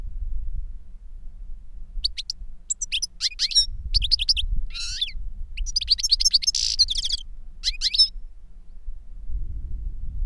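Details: European goldfinches, a master and a novice that learned its song from a CD, singing reclamo; bursts of tinkling and chattering notes, a buzzy rasp, a dense twittering run, then silence with only low rumble.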